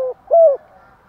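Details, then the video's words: Spotted dove calling in the thúc gù and gáy gọi styles; one brief short coo followed by a longer, smooth falling coo, then quiet. "chim cu gáy Thúc Gù = Gáy Gọi bài vở"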